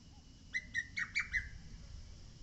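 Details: Song of a lesser cuckoo on Mount Oike, a single phrase of five sharp whistled notes delivered rapidly, the first sliding upward, then a short quiet tail with a low background hum.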